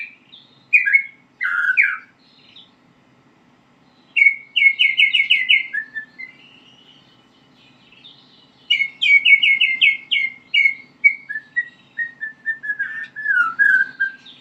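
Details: White-rumped shama practising its song: separate bursts of rapid trilled notes, falling slurred whistles and scratchy phrases, broken by pauses of a second or more.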